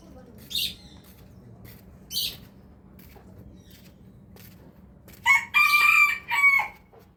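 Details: Rooster crowing in the morning: two brief scratchy calls, then a loud multi-part cock-a-doodle-doo with a clipped start and a long, strained, harmonic middle note.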